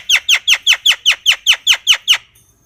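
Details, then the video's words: Javan myna repeating about ten bright, downward-sweeping chirps at an even quick pace, then falling silent. "Suara Burung Jalak Kebo"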